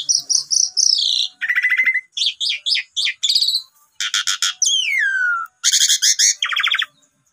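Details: Asian pied starling song used to provoke other birds into singing: dense, varied phrases of shrill whistles and rapid chattering notes, with one long whistle sliding steeply down, and short gaps between phrases.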